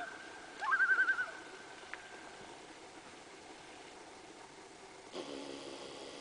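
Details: Loon on Lake Saganagons, August 2007, calling as the moon rises on a quiet evening; one short trembling, pulsed burst early on, then long stillness with a faint click and a soft rush of background noise near the end.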